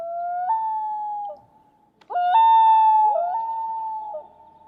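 A common loon gives two long, mournful wails. Each pure, sirenlike note slides up in a step, then holds steady for a second or two.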